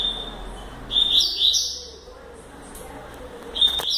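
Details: Fast 'velocista'-style phrases from a young double-collared seedeater in training: a steady high whistle leads into a quick run of sharp, buzzy twitters, and the whistle returns near the end of the clip, with faint background hiss.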